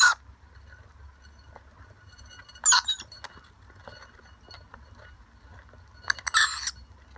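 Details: Wild rainbow lorikeet family, parents and young, visiting to share dry nectar mix from a bowl and spoon: harsh, screechy bursts, one near the start, one around three seconds and a longer one near six seconds, over a faint background hum.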